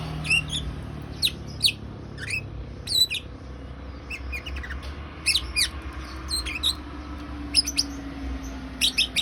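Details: Lovebird chatter in the ngriwik style: short, sharp, high chirps and squeaks in scattered bursts, some doubled, over a steady low background hum.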